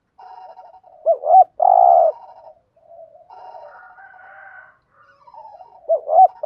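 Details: Caged spotted dove used as a decoy to lure wild doves, giving its urging coo: two short looping notes followed by a long level buzzy coo near 700, repeated, with a softer mid phrase between.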